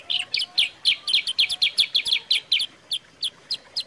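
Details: Sooty-headed bulbul song used as a lure and master recording. Fast bright double chirps come about four per second, then thin out into single spaced notes toward the end. Faint low whistles sit underneath.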